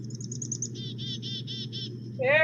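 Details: A Michigan winter Black-capped Chickadee gives its chick-a-dee call, which names the bird and is a call rather than its song: a few thin, high chick-a notes, then six buzzy dee notes at a steady pace, over a low room hum, with a brief rising sound at the end.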